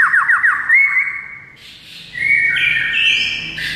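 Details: White-rumped shama (murai batu) song opening with a quick string of about six dipping notes, then a clear rising whistle, a soft pause, and layered high whistles.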